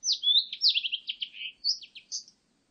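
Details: Blue-and-white flycatcher singing a rich, fast run of whistled notes. Descending slurs and quick trilled clusters flow into a few rising high notes, ending with a bright upslurred whistle. The background is clean.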